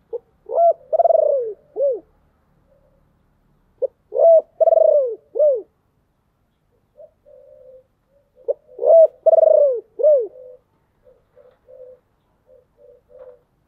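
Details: Deep-voiced decoy spotted dove calling to lure wild doves: three phrases, each a short coo, a long rolling vibrating coo and a falling final note, spaced about four seconds apart, with soft murmuring sounds between.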